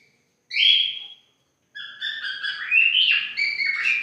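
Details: A white-faced cockatiel gives a clear sliding whistle, then a run of warbling, rising and falling whistled notes.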